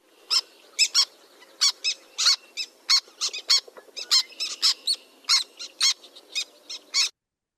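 Black Tern giving sharp, clipped kik notes in an irregular series, about one to two per second, high and scratchy, some doubled like a quick cudic.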